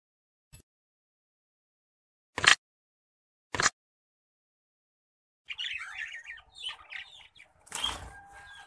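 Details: An orange-breasted zebra finch sings a rapid, buzzy jumble of nasal notes after a few sharp flutters.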